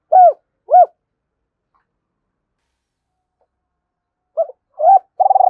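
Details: Spotted dove giving the calling coo used to draw wild doves: two separate arched hoots, a long silence, then short clipped notes leading into a pulsing purr.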